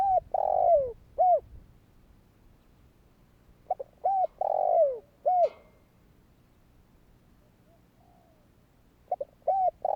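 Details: Spotted dove repeating its three-part coo phrase to draw replies from other doves: soft coos bracketing a long drooping middle note, three phrases separated by quiet pauses, a brief click midway.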